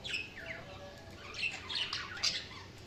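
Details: Soft budgie warbling, with gliding squeaky notes and light chirps rising and falling, growing busier toward the end.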